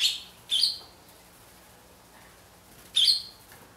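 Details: Barn swallows raising chicks at the nest, filmed with a Canon EOS 7D camera: three brief bursts of high, sharp chirping, one at the start, one half a second later and one near three seconds, with quiet between.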